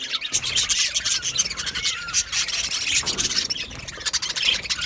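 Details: Colony of Budgerigars in an aviary, a dense chatter of high scratchy chirps and rasping warbles overlapping without pause, many birds calling at once.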